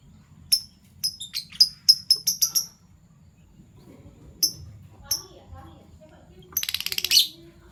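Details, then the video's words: Fischer's lovebirds, violet and gold opaline euwing, in the morning: a quick string of about ten sharp, thin chirps, a few scattered notes, then a brief harsh chattering burst. "Lovebird Chirping Sounds - PB Violet Fischer & Euwing Gold Opaline Fischer"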